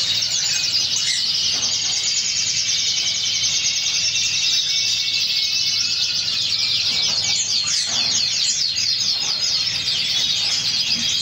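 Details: Spanish Pheao canary singing, a dense continuous run of high trills and rapid chirps with little pause, steady in loudness throughout.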